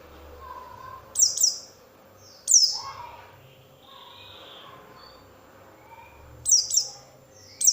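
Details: Oriental white-eye lure sound intended to make other white-eyes respond: a few isolated pairs of sharp, high, descending chirps separated by quiet gaps, with faint softer whistles in between.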